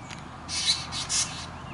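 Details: Juvenile Black drongo demanding food from its parents within a family group, recorded close up: two harsh, hissing, rasping bursts, each about a quarter second long, separated by a short gap over a quiet background.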